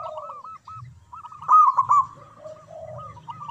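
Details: Strong-voiced local zebra dove in manggung song, played to spur silent doves; a string of short rounded coos, then a loud rolling burst at mid-clip, with a deeper second dove cooing afterwards over a low hum.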